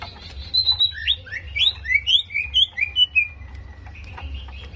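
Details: Greater green leafbird, with the recording used to fire up rival birds for contests: a varied run of upslurred and downslurred whistles, each phrase shifting pitch, ending in a long thin note.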